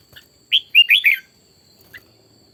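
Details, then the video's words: Red-whiskered bulbul, a decoy bird being voice-trained for fiery morning singing, gives a short bright phrase of about five quick whistled notes, the middle ones warbling up and down, with a faint extra chirp afterward and a steady high tone behind. "luyện giọng chào mào hót buổi sáng"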